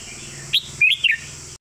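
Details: Red-whiskered bulbul master song ('phleng mae bot'): a short upward whistle followed by a longer slurred, liquid phrase that dips and rises, clear and close against low background hiss.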